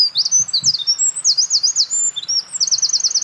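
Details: Eurasian wren at a mountain pass, 28 April 2024, singing loudly near its nest material: a dense, piercing stream of high trills, quick zigzag notes and a closing fast rattling series, unbroken for over three seconds.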